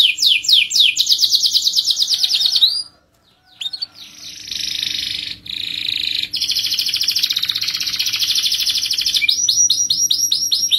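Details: Canary singing a long rolling song meant to get other canaries of any kind to sing. Extended rapid, high rolling trills broken by a short silence, then more sustained buzzy rolls and quick repeated notes.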